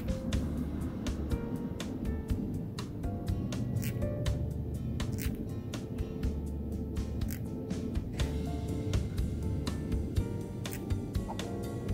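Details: Only a low, steady hum with soft music-like tones and scattered clicks is heard, with no animal calls.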